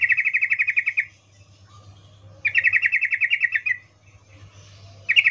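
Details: Female sooty-headed bulbul calling a male, breeding arousal call: long even rattles of rapid bright chips, about a second each, repeated after a pause, with a steady low hum behind.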